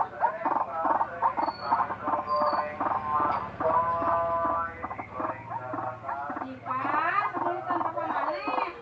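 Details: White-breasted waterhen making an unusual-sounding call: harsh, nasal croaking notes in rapid, jerky series, rich in overtones, with brief pauses between bursts and a steady low hum underneath throughout.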